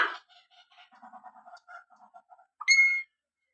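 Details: Common hill myna mimicking speech, reportedly saying "Allah": a sharp opening burst, about two seconds of quiet rapid stuttering chatter, then one loud, clear, whistled note with stacked overtones that cuts off abruptly.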